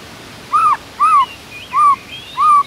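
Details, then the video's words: White-rumped shama (murai batu) singing vigorously in the morning with a rich fill song: four clear, arched whistles, each slightly rising then falling, spaced about half a second apart over a quiet background. "MURAI BATU GACOR ISIAN MEWAH"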